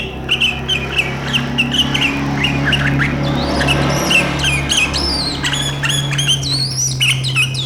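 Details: Sooty-headed bulbul in sharp 'riwikan' chattering style, said to set rival birds chattering along, recorded 7 April 2023. Rapid bursts of short, sharp chattering notes, then higher slurred whistles toward the end, over a steady low hum.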